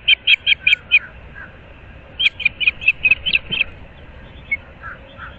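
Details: Osprey at its nest at Moorings Park, Naples, Florida, on 15 April 2024 at 06:37 in the morning; two bursts of rapid, high, whistled chirps, about six notes each, separated by a pause of over a second, with a few softer notes afterward.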